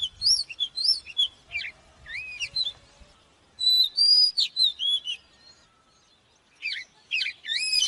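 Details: Oriental magpie-robin song used to train birds: clear rising whistles and looped slurred notes, a loud burst of quick phrases midway, then a pause before more whistles.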